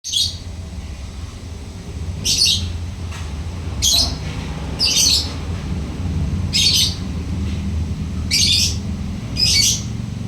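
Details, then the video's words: Lovebird singing diligently in the ngekek style: harsh, buzzy squawking bursts repeated every one to two seconds, seven bursts in all, over a low steady hum. "Lovebird rajin ngekek...."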